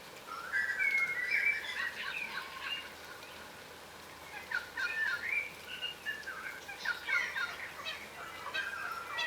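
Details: Wild yellow rosellas, a subspecies of crimson rosella, feeding on the ground in Australia; a flock gives chattering, squeaky calls and short rising whistles, busiest in the first three seconds, with a steady background hiss.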